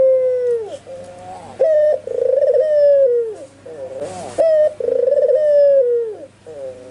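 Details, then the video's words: Albino white Barbary dove calling in full voice, with spotted doves and zebra doves nearby answering; a short clear note followed by a long rolling, wavering coo that slides downward, repeated about three times, with a brief noisy burst midway. "SUARA BURUNG PUTER PUTIH ALBINO FULL GACOR"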